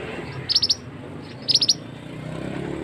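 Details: Two brief clusters of four quick, piercing high ticks from a male scarlet-headed flowerpecker, a lure call for trapping in forest, over a low background rumble.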